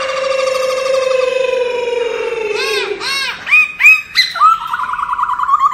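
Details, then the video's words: Laughingthrush singing a wild-type training song: a long, slowly falling whistled note, then rich, looping arched phrases and a buzzy warble, loud and varied. "Luyện giọng chim Khướu chuẩn giọng rừng"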